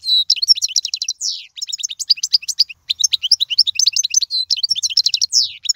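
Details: European goldfinch singing an error-free song meant for teaching young birds: rapid, high tinkling twitters strung together without a break, with short liquid slurred notes and brief pauses near 1.5 and 3 seconds.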